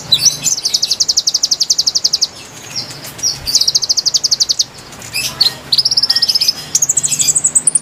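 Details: Konin song played to lure wild birds, with fast, evenly repeated high notes forming buzzy trills, then brief gaps and a rising, very high final run, over quiet low hum.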